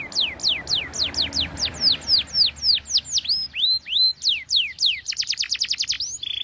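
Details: Canary song played for training young canaries: loud, rapid series of sharply falling whistled notes repeated about three to four per second, shifting to a fast buzzy trill near the end, with faint background hum.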